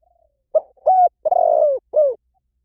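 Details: Spotted dove phrase opening with a faint soft note, then a short coo, a level coo, a long throaty coo falling at the end, and a quick drooping final note.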